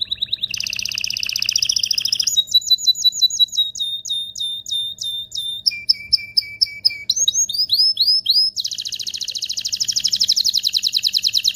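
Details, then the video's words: Excited canary song to prepare males and females for mating: buzzy rolling trills, a run of sharp repeated notes, lower whistled phrases, curling chirps and a final fast trill. "تغريد طائر الكناري هائج , لتجهيز الاناث و الذكور للتزاوج والغناء"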